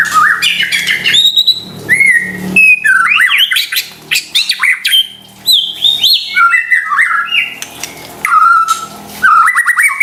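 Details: White-rumped shama song used as a lure to rouse stressed or silent kept shamas into singing: loud, varied whistled phrases, rising slurs and sharp upsweeps, broken by brief pauses, with bright high notes and short chattering bursts.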